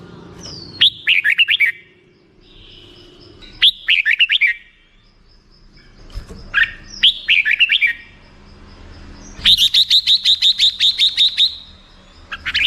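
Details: Several bursts of fast, liquid whistling from a black-crested bulbul, ending in a long even series of clipped repeated notes.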